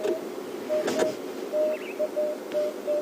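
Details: Emerald-spotted wood dove calling in the background on a cold, drizzly, rainy morning safari drive gives soft, low, hollow coos in a steady run of short notes, with a brief whistled note from another bird and a burst of rustling.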